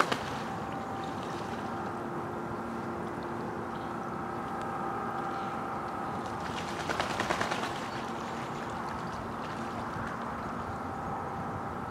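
A steady mechanical hum with a brief rattling burst midway, and no animal calls.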